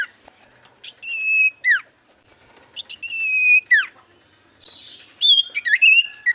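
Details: Common iora lure song meant to draw replies: two sustained whistles, each ending in a falling slur, then a jumbled run of stepping whistled notes.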